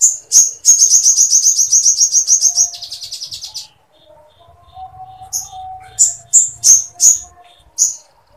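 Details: Sooty-headed bulbul singing full Sampit woodpecker material for tutoring: a long, evenly pulsed high rattle of about two seconds, a faint soft whistle, then spaced, sharp high chips.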